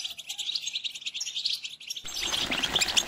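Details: European goldfinch mating song in the tbetba and stsesta styles: rapid, dense high twittering and tinkling notes, clean at first, then joined by a loud hiss for the last second.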